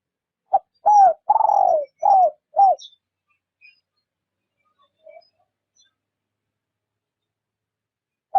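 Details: Spotted dove serving as a trapping decoy, cooing softly in rút bổi style: one quick phrase of five throaty coos with a drawn-out falling middle note, followed by several seconds of quiet.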